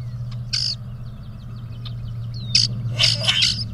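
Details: Two male grackles puffing up and displaying to out-impress a female give harsh, squeaky bursts and a thin descending whistle, with faint rapid ticking between, over a steady low hum.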